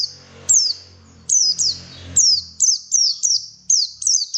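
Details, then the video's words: White-eye song meant to lure birds into song: piercing high notes, each sliding sharply downward, repeat roughly every third of a second in an uneven chain, over a faint low hum early on. "PANCINGAN BURUNG PLECI SUPAYA GACOR"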